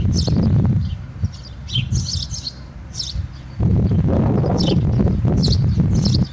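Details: House sparrow singing from inside a swallow's nest at Alikes, Kitros, Greece: bursts of short, high chirps, several per second with brief pauses, over a loud low rumble of wind or handling noise.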